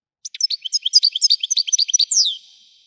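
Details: European goldfinch singing in the Widani style: a quick run of bright, tinkling twitters and chips for about two seconds, closing on one longer, down-slurred note. The background is silent.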